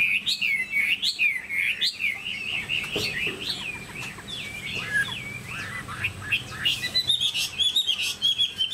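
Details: Tame Chinese hwamei in a cage pouring out a continuous warble of looping, whistled notes that rise and fall, ending in higher, brighter phrases and a few sharp ticks.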